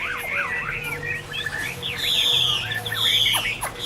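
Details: Chinese hwamei (Garrulax canorus) singing a rapid run of zigzagging whistled notes with quick up-and-down slurs, louder buzzy phrases in the second half, and a steady low hum in the background.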